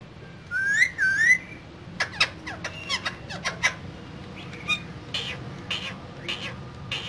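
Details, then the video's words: Two green parrots in a cage, described as talking: a pair of wavering, rising whistles at the start, then a series of short sharp squawks and clicks. A low steady hum sits underneath. "Two Green Cute Parrots Talking In Cage"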